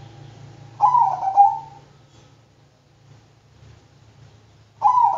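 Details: Zebra dove of the Bangkok type, a singing bird, giving a mellow, throaty cooing phrase of about one second. After a pause another coo begins, over a steady low mechanical hum.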